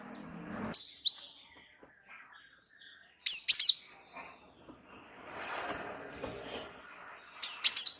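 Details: Java sparrow singing continuously to prompt other birds: quick pairs and triplets of piercing, falling chirps spaced a few seconds apart, with soft rustling background noise between phrases.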